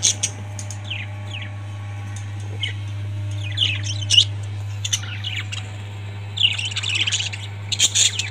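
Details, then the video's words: Household budgies trade sweeping high chirps and downslurred squeaks, growing into lively overlapping chatter in the last seconds, with a faint low hum throughout. "Parrots 🐦 Sound"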